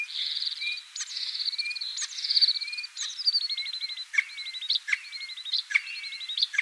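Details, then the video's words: Singing common starling mixing drawn-out whistles and descending slurred notes with fast rattling trills and sharp clicks, phrases changing every second or so. "Обыкновенный скворец (Sturnus vulgaris) - голос"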